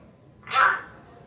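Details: A single loud, broadband call from a pet Hill myna during a talking session with its owner, swelling and fading within half a second in a quiet indoor room.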